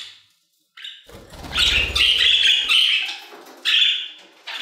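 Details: Budgies singing in an aviary: after a quiet start, a loud continuous scratchy warble with whistled squeaks, over a low rumble.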